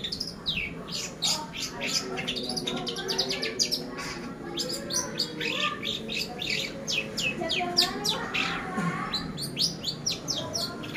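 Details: Long-tailed shrike singing in a pastol-style cendet lure meant for training birds: a continuous stream of rapid, varied high chirps, squeaks and short trills with steady low background hum.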